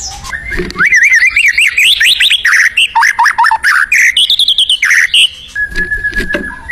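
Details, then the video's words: White-rumped shama in the wild giving a vigorous song: rapid zigzag whistled notes climbing and dropping, a string of short sharp chirps, then a long level whistle. "SUARA UNIT MURAI BATU GACOR DI ALAM LIAR"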